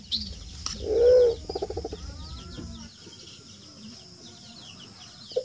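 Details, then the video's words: A wild pigeon, used as a lure call, gives one deep, swelling coo, then a short burst of quick pulsed notes, with thin chirps of small birds in the background. "suara pikat burung merpati hutan"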